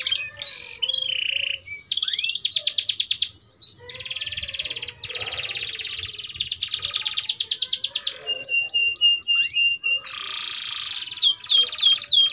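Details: Canary singing for young canaries to learn from: varied phrases of rattling trills, buzzy rolls and clear repeated whistles, separated by short pauses, with faint background noise.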